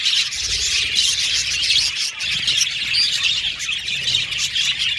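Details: Colony of budgies in an aviary chirping: thick, high, continuous twitter with sharp individual chirps popping out and a brief lull around two seconds.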